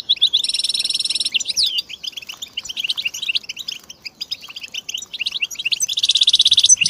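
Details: European goldfinch singing with mating calls meant to coax silent males into song. It opens with a harsh buzzy trill, then twists through jangling liquid twitters and ends on another buzzy rattle.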